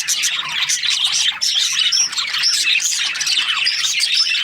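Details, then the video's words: Chattering budgerigars kept as breeding pairs: many overlapping high, squeaky chirps and short whistled rising notes in a steady, lively stream. "Budgies parrot chirping sounds"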